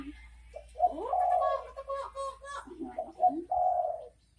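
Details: Spotted dove (derkuku) giving its 'bekur bekur' call: a few low mellow coos, with one long drawn-out hoarse note in the middle, plus faint background rustles and a brief voice-like murmur.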